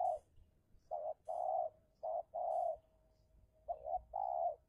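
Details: Decoy spotted dove battling a wild dove in a fierce luring contest: repeated mellow, throaty coo phrases, each short note followed by a drawn-out rolling coo, recurring about every one to two seconds over a quiet low rumble.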